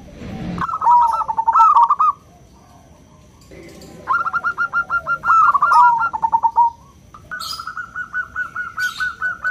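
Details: Small local zebra dove with a 'crystal' voice, a song said to call companions and set other doves singing; three bursts of fast, pulsed, bubbling coos, each a rapid rattling run of notes separated by short silences.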